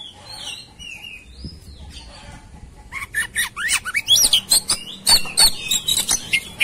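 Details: White-rumped shama in fighting mood: soft whistles at first, then a loud burst of rapid harsh chatter and sharp whistled notes building over the last few seconds.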